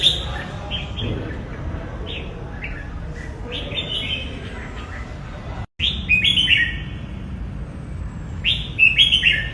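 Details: Red-whiskered bulbul delivering repeated short whistled phrases, several a few seconds apart, each a bouncy cluster of clear notes; a brief silent gap midway, then louder warbling phrases, over constant low background noise.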